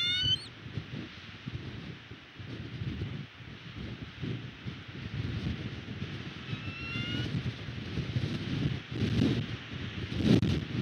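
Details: Bald eagle at a West End nest, filmed by a nest camera on 22 February 2022 while defending its nest again; two brief, thin, high whistled calls, one at the start and one mid-way, over steady wind rumble and rustling.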